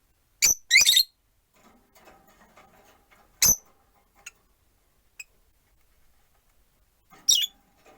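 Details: Rosy-faced lovebirds, four pet birds in a cage by a window, one on a perch: a few sharp, loud shrieking chirps, two close together early on, then single ones, with quiet gaps and faint street and room noise between.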